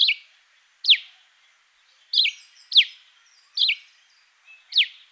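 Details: A Cape sparrow in a garden in Fourways gives sharp, high chirps, single or in quick pairs, repeated roughly every second in a quiet setting.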